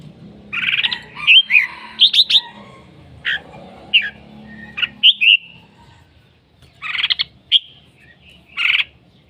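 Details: Red-whiskered bulbul singing and calling a lot: bright, warbled two- and three-note phrases and sharp chirps, given in bursts with short pauses, over faint low background hum.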